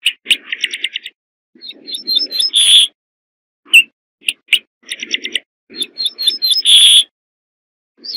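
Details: Two full corn bunting songs, each starting with quick dry ticking notes that speed up into a jingling, glassy trill and end in a harsh buzz. Single clicks fall between the phrases, and there is no background noise.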